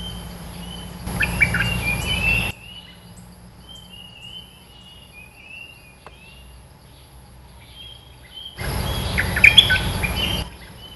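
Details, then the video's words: Red-eyed bulbul lure song: two short bursts of quick, gurgling chatter separated by a quiet stretch of thin, sliding whistles from distant birds, with a low steady hum underneath. "Suara pikat merbah lekir gacor"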